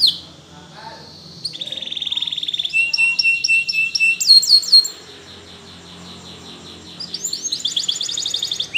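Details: Training song from a Spanish Timbrado canary, made of high rolled trills, a rattle and short repeated chirps, then a few seconds of near silence before a bright, rapid trill resumes.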